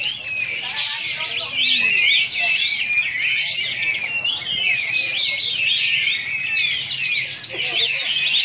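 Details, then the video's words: A champion contest Olive-winged Bulbul at a bird event in Singkawang delivers a rapid, unbroken stream of bright, high warbles and chattering twitters, with other birds and faint voices in the background. "SUARA BURUNG | Besetan Kapas Tembak"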